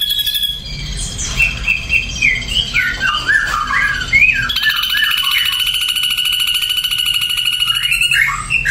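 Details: Ashy drongo song of varied whistled phrases, rising and falling slurs and quick chirps, broken by a sustained, metallic, rapidly pulsing buzz that runs for several seconds before whistled notes return.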